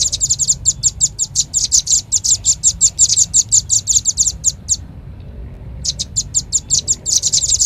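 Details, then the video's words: Red-billed leiothrix giving a lure call: quick, piercing high chirps repeated in a fast even chatter. A pause of roughly a second follows, then the rapid series resumes. Quiet low background noise. "Suara pikat burung rambatan paling ampuh | rambatan paruh merah"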